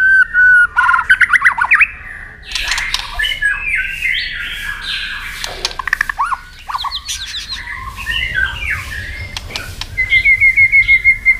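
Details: White-rumped shama singing a fighting song used to train and stir other shamas, with tail-snapping clicks: loud varied whistles, fast buzzy trills and harsh squawks, with sharp click bursts, ending in a high rapid rattling phrase.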